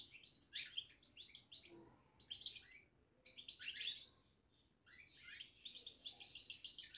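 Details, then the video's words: Soft babbling from a caged European goldfinch: short clusters of high, scratchy twitters and tinkling chirps come in bursts about every second or so, separated by brief quiet gaps against a faint hiss. "بتبتة الحسون في السلاكة"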